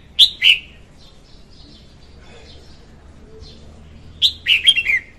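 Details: Red-whiskered bulbul, a female, singing a lure song for trapping; a quick pair of sharp whistles, faint distant chirps in between, then a longer phrase of several bright descending notes.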